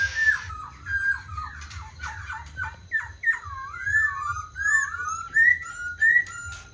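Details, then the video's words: Tame black laughingthrush kept as a cage bird, singing and dancing on a table: a steady series of short, slurred whistled notes with downward inflections, repeated about every half second, fairly even in pitch. "Khướu mun thuần hót múa giọng hay"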